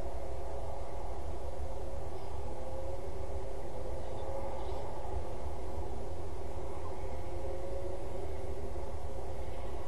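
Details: A continuous deep rumble of a passing train or heavy vehicle fills the recording, with no animal calls.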